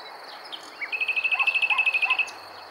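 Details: Common nightingale singing near Montana, Bulgaria, on 23 May 2020: a loud, rapid trill of about eighteen sharp repeated notes lasting just over a second, set against a steady high-pitched insect drone.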